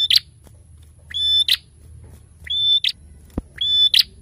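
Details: Lively prenjak song: repeated level high whistles each closing with a sharp burst of notes, four phrases, plus one brief click and a faint low hum.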